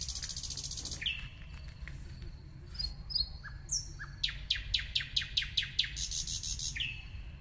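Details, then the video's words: A singing nightingale gives a varied phrase: a high whistled start, scattered chirps and short downslurred notes, then a rapid series of about ten sharp clicking notes, closing with a clear whistle above a steady low hum. "nightingale singing.The best bird song"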